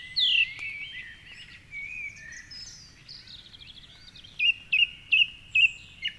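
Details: In the dark before a Sunday sunrise on the Curragheen River, Cork City, a wild song thrush sings from its high perch. One loud note opens, quieter twittering follows, then a bright clipped phrase is repeated five times.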